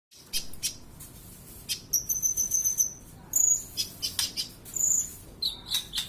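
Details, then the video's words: Kolibri ninja (sunbird) singing, a recording used as a tutor to teach other birds to sing; very high thin whistles, a long level whistle near the top held over a second, between sharp ticking chips and short bursts. "MASTERAN - Kolibri Ninja"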